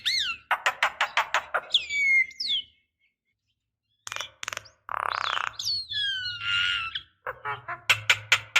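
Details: Female Javan myna calling a male, used as a decoy: rapid clicking notes, then slurred descending whistles, a pause, and a mix of rasping and whistled phrases ending in quick clicks.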